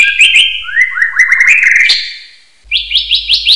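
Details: Common hill myna whistles recorded for training other birds: a run of loud, short upward-sliding whistled notes that climb step by step, a brief pause, then five rapid high whistled upslurs.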